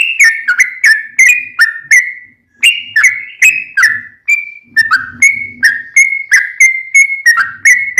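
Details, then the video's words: Sooty-headed bulbul in a long rolling song, meant as training material for caged birds: a steady string of whistled, slightly descending notes about three per second, with a brief pause and faint low rustling beneath. "Trucukan gacor tarung ROPEL panjang"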